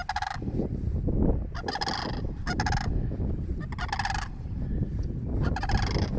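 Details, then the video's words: Repeated rough, rattling bursts from cranes beside a church, given as a person draws near, sound through strong low wind-like rumble. "Did you know cranes made this sound???"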